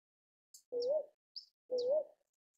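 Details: Northern boobook (Ninox japonica) giving a pair of low, mellow hoots, each slightly rising and about half a second long, spaced one second apart, with faint high clicks before each note.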